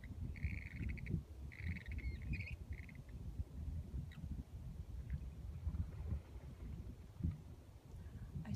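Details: Western grebes in San Francisco Bay in 2015. One gives a few harsh, grating two-part calls in the first three seconds, over steady low wind and an engine-like rumble.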